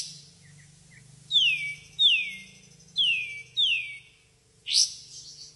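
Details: White-shouldered triller (Lalage sueurii) song: four loud, sharp notes sliding steeply downward, about one each second, then a final rising note, over a faint low hum.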